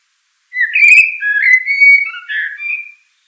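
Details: Common blackbird delivering one continuous mellow, warbled whistle that rises and falls through several linked fluty notes for about two and a half seconds, heard clean against silence.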